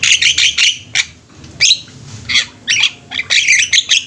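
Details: Javan mynas singing together as a flock, giving loud rasping, squeaky notes in clustered bursts separated by brief gaps, with overlapping voices throughout.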